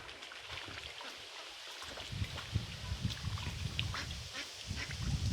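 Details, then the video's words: Ducks at a pond, with mallards, Mandarin ducks and Pekin ducks named, giving harsh, rough quacks in irregular bursts from about two seconds in, over a steady broadband hiss of water or wind. "Ducks Quacking"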